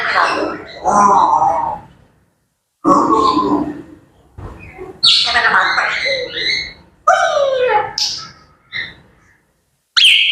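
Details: Pet grey parrots with morning chatter: several separate bouts of raspy, voice-like babbling and squawks, some sliding downward, with short silences between them and a sharp high note at the close.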